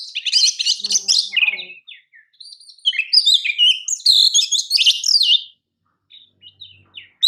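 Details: Kacer, the Oriental magpie-robin, singing champion-style for song training: harsh buzzy rattles, then a long varied medley of whistles and rapid chirps, fading to soft scattered notes before a final loud burst.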